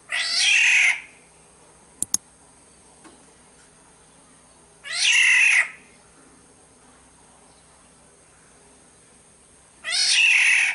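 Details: Sumbawa black-naped oriole, used as a lure: three raspy, mewing squalls spaced about five seconds apart, each under a second long and broad and harsh, with a couple of brief clicks in between.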